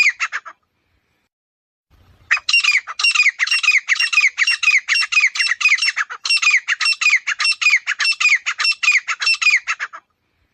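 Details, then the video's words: Outdoors, a grey francolin gives loud harsh calls: a short burst, then a long run of rasping, scratchy notes repeated quickly and evenly for nearly eight seconds, with one brief break midway. "Grey Francolin Sound"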